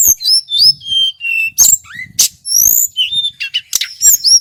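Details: Local male Sunda whistling thrush from Merapi delivering a clear, loud song. High slurred whistles descend into steady mid-pitched notes, broken by harsh broadband chirps and long rising whistled sweeps.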